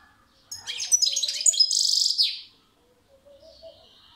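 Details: Goldfinch song burst: rapid tinkling, twittering notes running into a dense buzzy trill, then softer faint chirps and a quiet background.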